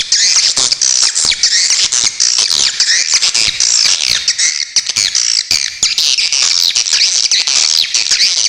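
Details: Swiftlet masteran recording with sharp besetan chatter: a dense, continuous stream of high, squeaky twitters and rapid buzzy chirps, overlapping without pause, bright and shrill throughout.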